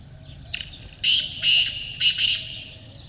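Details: Black francolin, known locally as kaala teetar, giving a harsh grating call: a short thin opening note, then three loud rasping bursts spaced roughly half a second apart. Faint low background hum.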